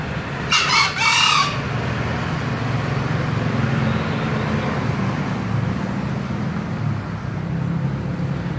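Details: Green junglefowl crowing: one brief, harsh two-part crow lasting under a second, set against a steady low rumbling hum.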